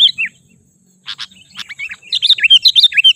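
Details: Lure call of the sooty-headed bulbul, meant to draw in and excite wild birds: two short whistled notes, a pause, a few harsh buzzy bursts, then a quick string of sweet looping whistles.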